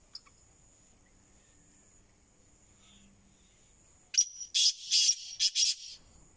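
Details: Black francolin: quiet background with a steady high hiss, then a sudden rasping call of about five clipped, harsh notes delivered rapidly in the last two seconds.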